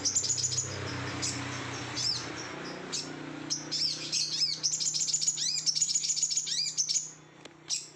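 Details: Sooty-headed bulbul singing excitedly, over-emotional: long run of rapid, high chirps and twittering trills with a few sharp upward whistles, dense and nearly continuous, low background hum beneath.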